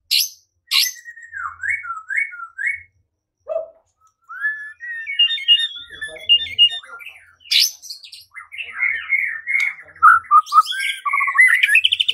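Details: White-rumped shama singing, a lure meant to provoke song and fighting; repeated whistled motifs, rising slurs and fast chattering phrases with sharp high notes between pauses.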